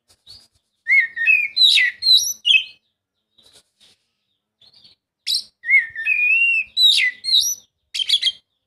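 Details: Oriental magpie-robin song used to prompt a reluctant bird to sing: two loud bursts of fluid, varied whistles and sharp upslurred notes, separated by a pause with a few soft notes.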